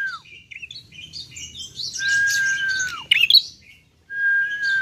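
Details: Young bar-winged prinia, apparently kept as a caged bird: busy twittering phrases followed by long, loud, level whistles that fall off sharply at the end, repeated twice, with a scratchy burst between them.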